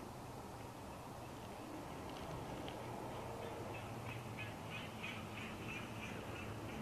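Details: At dusk on 20 January 2021 at their Big Bear nest, a pair of bald eagles tracks a large bird flying by and gives runs of thin, high chittering notes, about three a second, over low wind rumble.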